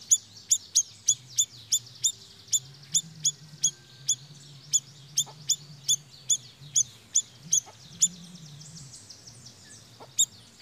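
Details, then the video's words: Siri-siri bird used as a lure to attract birds, uttering a running string of sharp, high chips, quick at first then more spaced, with a low hum underneath. "Suara Pikat BURUNG SIRI SIRI GACORR"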